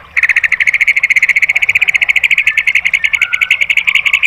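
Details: White-rumped shama in rapid-fire song, played to train caged birds: a fast, steady rattle of sharp, evenly spaced notes, about ten each second, continuing without a pause, with a few lower tones beneath near the end.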